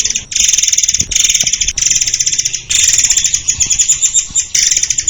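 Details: Murai air (white-crowned shama) song recorded as a training master for songbirds, with long, dense rattling phrases of shrill high notes separated by short gaps.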